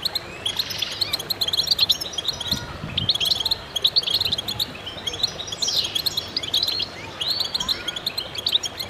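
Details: Several goldfinches sing together in concert, high twittering bursts and trills with a couple of swooping slurred notes, plus faint low thuds in the background.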